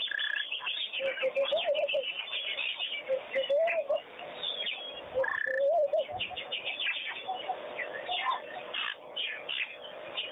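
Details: Wattled starlings bathing at a pond chatter without pause, a busy jumble of squeaky whistles, wheezy buzzes and low gurgling notes from several birds at once.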